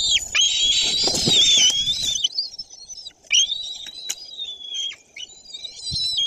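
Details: Young white-tailed eagle at a nest in Bory Tucholskie, Poland, 14 June 2022, before noon, taking a fish from the male and calling over it: a long high whistled note with rustling wingbeats, then wavering piping notes broken by short gaps.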